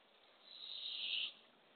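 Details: A Barred owl nest box on an April 2024 morning, with the female delivering a baby opossum to a hungry owlet. One harsh, airy hiss builds over about a second, then stops abruptly.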